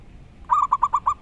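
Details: Wild local zebra dove giving a loud, clear song phrase: one longer cooing note followed by four quick, evenly spaced rolling coos, steady in pitch, over a soft background hiss.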